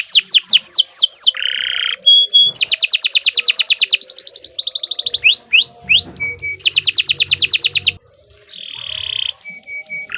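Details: Canary in long continuous song for training; a varied medley of quick downslurred whistles, buzzy rolled trills, steady high tones and rapid chip series, changing every second or two.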